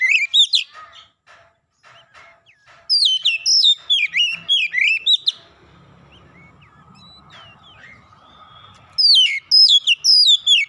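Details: Oriental magpie-robin provoked into an aggressive challenge, singing bursts of rapid, descending whistled notes, pausing for several seconds of quiet with soft background noise, then resuming loudly.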